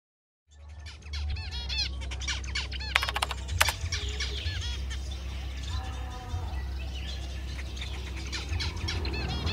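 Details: Pair of zebra finches, a male courting a female, at a bird farm in Sidoarjo, East Java, Indonesia; dense bursts of nasal, harmonic-rich chirps and short beeps overlap busily throughout, over a steady low hum.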